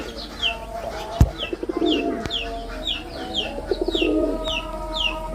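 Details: Male red-bordered wild pigeon performing its call: low throaty coos swelling around the two- and four-second marks, while a separate high, descending chirp repeats steadily above, with a faint steady tone underneath.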